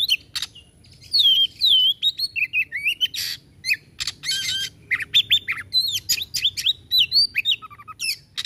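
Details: Oriental magpie-robin (kacer) pouring out lively 'tembakan' song, a dense run of rich whistles, looping slurs and harsh scratchy bursts, alternating quickly with little silence between, over a soft low background hum.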